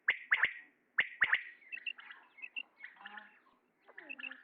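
A male common quail gives two sharp, liquid three-note phrases, 'whit, whit-whit', about a second apart, followed by softer chirps and twitters.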